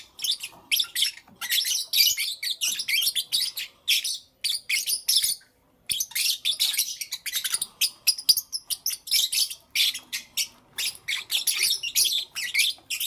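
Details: Lovebirds, small parrots kept as pets, chirping in the morning: long run of fast, piercing squeaks and grating chatter, several birds overlapping, broken by one short silence midway.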